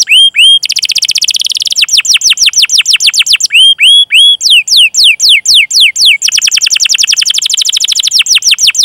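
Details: Canary song used as a training lure for other canaries, with long rolling cuit-cuit phrases: rapid trills of downward-sweeping whistles, high rising whistled notes, and long runs of fast slurred sweeps, loud and clean.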